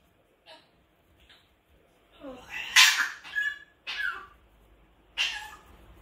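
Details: Pet grey parrot screaming: harsh, broadband shrieks in separate bursts, the loudest near the middle and two more a second apart toward the end, with faint short calls at the start and a quiet room behind.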